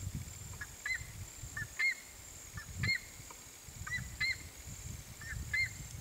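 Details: Whistling heron (Syrigma sibilatrix) giving clear, high whistled notes, some with a short up-and-down inflection, repeated about once a second over low rumbling background noise.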